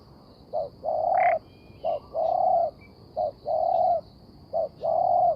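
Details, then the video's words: A spotted dove used to lure wild birds for trapping repeats a clipped short coo followed by a longer sustained mellow note, three times in a row, with one brief higher chirp nearby. "The Sound Of Spotted Dove"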